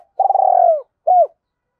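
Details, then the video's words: Decoy spotted dove calling in the two-ending style: a loud, rolling coo of rapid pulses sliding gently downward for about two-thirds of a second. After a brief pause comes a single shorter falling coo, with nothing else audible. "Chim Cu Mồi thúc và gáy gọi cực đỉnh, gáy gọi hai hậu"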